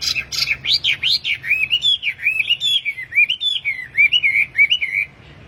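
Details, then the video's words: Tame caged wambi in full song, used for training or luring other wambi: a rapid, continuous run of high twittering, chirping and slurred whistled notes, tightly strung together for about five seconds, then silence. "BURUNG WAMBI GACOR || TERAPI PANCINGAN BURUNG WAMBI"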